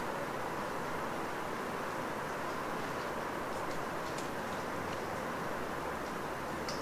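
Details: Even hissing ambience fills a night forest after rain, broken only by a few faint high ticks like dripping water, with no animal voice.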